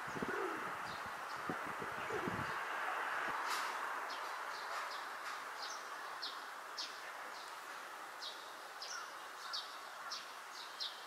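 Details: Feral pigeon on a rooftop, puffing up its throat and turning in circles in courtship, gives low, throaty rolling coos at the start; then thin, high chirps from small birds repeat over steady background hiss.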